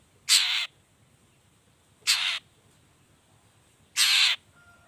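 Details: Cendet, or long-tailed shrike, in a recording used to prompt other shrikes to sing; three loud harsh rasping notes about two seconds apart over faint background hiss.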